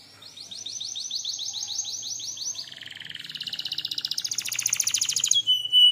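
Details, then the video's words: Canary song, a lure and tutoring recording: a quick series of high, evenly repeated chirps for over two seconds, then a lower, buzzy rolling trill that grows louder and faster, closing on a brief clear whistled note. "KENARI DENGARKAN SAMPAI HABIS, PANCINGAN MASTERAN, SUARA BURUNG CUIT CUIT"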